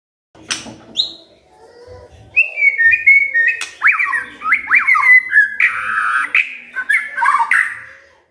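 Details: Magpie-robin singing as a lure for a quiet bird: a few high squeaks at first, then a sustained stream of rich whistles with swooping slurred notes and warbles, fading out at the end.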